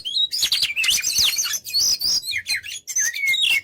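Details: Oriental magpie-robin (kacer) singing continuously in a recording made to tutor other birds: a dense, fast jumble of sweeping whistles, trills and sharp chirps with hardly a pause.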